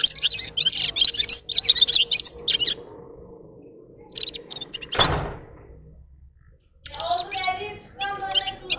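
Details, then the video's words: Red-fronted serin song: nearly three seconds of loud, high, rapid twittering, a quiet stretch with a few faint notes and a sharp thump, then softer chirps over lower harmonic sounds. "Gulsir Singing (Seriniis pusillus) Пение Птицы (Yurok Qushi Red-capped signing) G'ir-G'ir"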